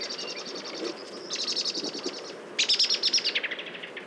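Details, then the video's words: Common blackbird (Turdus merula) giving an alarm trill: high, rapid chattering alarm notes, about eight a second, in short bursts rising to a louder, sharper rattle near the end. "אזהרה טריל שחרור"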